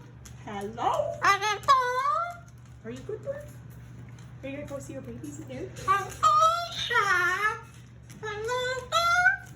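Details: A happy, talkative male Moluccan cockatoo, very vocal before bed one evening in June 2020, makes harmonic, speech-like squawks and chattering bursts in short runs, mixed with a person talking to him indoors.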